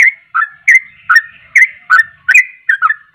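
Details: Yellow-vented bulbul (trucuk) in vigorous singing form, a song used to provoke other bulbuls: short bright chirping notes that swing between a higher and a lower pitch, about eight notes in three seconds, with no other sounds heard.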